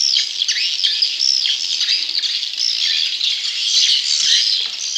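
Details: High, scratchy swiftlet chick calls meant to lure wild juveniles, a busy stream of thin squeaks and downward-sweeping chirps with many birds overlapping throughout.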